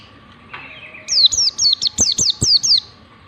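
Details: A warbling white-eye gives a fast ngalas song meant for teaching white-eyes: one flat buzzy note, then seven or eight rapid high whistles, each sliding steeply down, backed by a steady electrical hum and tapping clicks.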